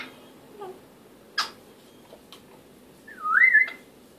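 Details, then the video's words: African grey parrot indoors giving a few soft clicks and a brief noisy burst, followed by a loud whistled note that dips then rises sharply. "African Grey parrot, talking"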